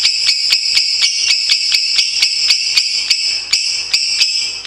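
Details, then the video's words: Lovebirds in a long training recording: a high, grating chatter pulsing about four times per second, dense and steady, with faint low clicks underneath. "Masteran Lovebirds Durasi Panjang | Kicau Burung"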